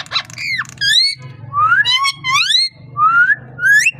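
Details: Pet parrot indoors producing a string of clear, swooping whistled notes, mostly rising glides, repeated about every half second, over a low room hum.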